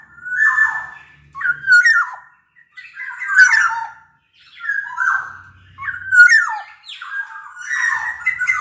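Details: Large Sumbawa black-naped oriole singing as a lure for quiet birds: a steady run of six or seven slurred, squawky whistled phrases, each about a second long.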